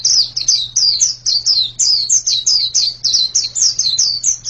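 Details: White-eye song of high, clear chirps tumbling downward, paired and grouped in quick phrases with short pauses between, over a faint constant low hum.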